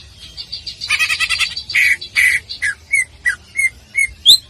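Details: Greater green leafbird song used as a training model for bird-singing contests: a dense buzzy burst of rapid notes, then a series of evenly spaced, short, slurred chirps repeated about every third of a second.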